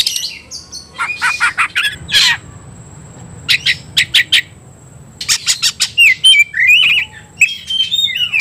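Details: Oriental magpie-robin stirred up to fight, giving bursts of harsh chirps and clipped notes separated by short silences, then a rising run of clear whistled phrases near the end, over faint low background hum.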